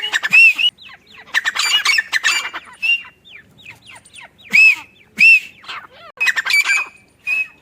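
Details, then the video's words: Female grey francolin (teetar) calling at a mango farm near a home: loud, harsh, ringing notes arching around the upper-middle pitch, given in bursts of several rapid squawky phrases with short pauses between, quieter scratchy chatter in the gaps. "Grey francolin teetar sound | female teetar awaz"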